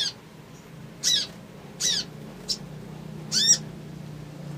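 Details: Crimson sunbird with an emotion-provoking call used as a lure to make other birds respond fast. Short, high, piercing chattering notes come in four uneven bursts over a steady low background hum.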